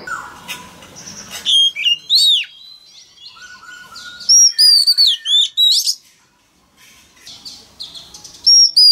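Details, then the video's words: Male Oriental magpie-robin singing to prompt a young bird to open its beak and sing along: loud, varied whistled phrases with sharp up-and-down slurred notes and quick chirps, in bursts separated by short pauses. "Choè than trống hót réo kích bổi mở mỏ hót theo"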